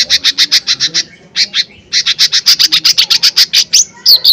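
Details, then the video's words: Loud, actively singing lesser green leafbird, lure song meant to stir other birds: long runs of rapid, evenly spaced high chips with a brief gap, ending in sweeping whistled notes. "Pancingan Cucak Ijo Mini Gacor Full POWER Tembakan keras Mancing Emosi"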